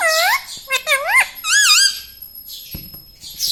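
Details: Talking pet parrot in a small room, known for saying "radhe radhe"; clear, loud speech-like syllables with swooping, wavy pitch come in quick bursts early, then a quieter pause with soft background noise.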